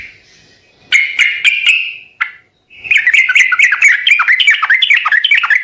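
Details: Sooty-headed bulbul, recording used to make birds reply: a few sharp chips over a held tone, a pause, then a long fast chatter of downward-slurred notes.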